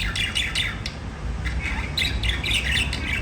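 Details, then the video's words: Budgerigars chirping: quick ticking squeaks at first, then a louder run of chattering warbled notes, all over a low droning hum. "Budgies singing and chirping"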